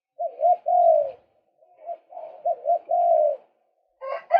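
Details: Male white-breasted waterhen calling, from a recording used as a lure to attract birds: a series of croaking, bubbling notes around mid pitch, a short pair, then a longer drawn-out falling note, repeated twice, with a harsher burst at the end.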